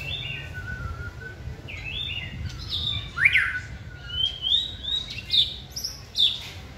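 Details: Caged white-rumped shama singing while hung on a pole for practice: smooth sliding whistles, one loud sharp note, then quick high whistled phrases.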